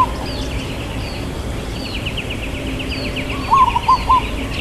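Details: Perkutut, a local zebra dove, with a long 'kuk' voice in 'irama lelah' rhythm. A single phrase of a drawn-out coo followed by two shorter coo notes comes near the end, over steady trilling and chirping of other birds.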